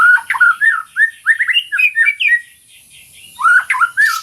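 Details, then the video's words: Loud, fast white-rumped shama song for training and for reviving silent birds: rapid slurred whistles and squawky notes pour out for two seconds, and after a short gap a further burst follows. "MASTERAN MURAI BATU GACOR - TERAPI MURAI BATU MACET BUNYI"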